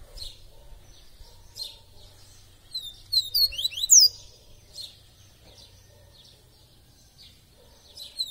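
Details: Double-collared seedeater singing in the "tui tui viviti" style, described as singing all day long; a short phrase of quick, high, sweeping whistled notes in the middle, with scattered faint chirps before and after over a low hum.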